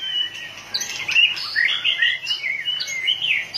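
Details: Excited white-rumped shama flicking its tail rapidly sings a fast, unbroken string of fluty whistles and chattering slides, loud and energetic throughout.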